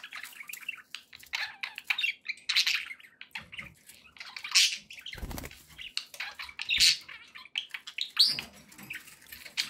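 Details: Pet budgerigars kept as company birds chattering, with scratchy warbles and chirps mixed with wing flapping and a brief rustling or splashing noise midway.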